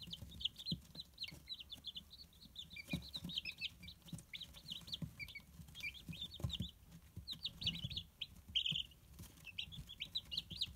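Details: Day-old baby Silkie chicks, recorded 12 May 2018, pecking about while peeping: a dense, continuous stream of short, high, piercing cheeps, some rising and some falling, overlapping from several chicks, with faint soft thumps and rustling underneath.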